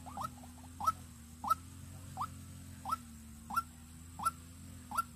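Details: Decoy white-breasted waterhen from Vĩnh Long, used for luring. It gives a series of eight quick upward-sweeping notes at a fairly even pace over a constant low background drone.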